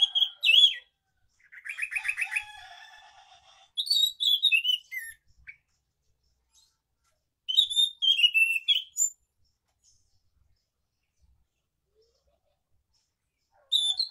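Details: A scaly thrush sings in the morning, giving bursts of high, varied chirps and trills separated by brief silences.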